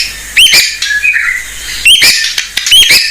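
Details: White-rumped shama of the mottled blorok type, a lively singer used as a lure sound for training young shamas: sharp rising whistles and short chirped phrases in bursts separated by quieter pauses.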